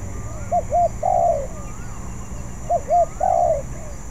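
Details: Spotted dove that is not yet good at its song, practising: twice it gives two short hooped coos and then a long falling coo, against a soft steady high hum.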